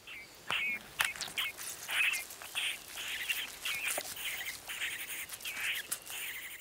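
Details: A great spotted cuckoo chick raised by crows gives incessant, harsh, rasping food-begging calls in quick repeated bursts, high and scratchy, with a few faint whistled notes.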